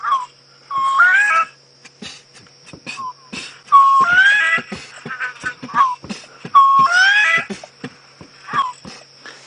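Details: A Bronze-winged Courser, seen briefly before flying off, calls on a late-afternoon safari drive on 29 June 2016 near Djuma Game Reserve: a plaintive, rising whistled phrase about every three seconds, over sharp clicks and a thin high hum.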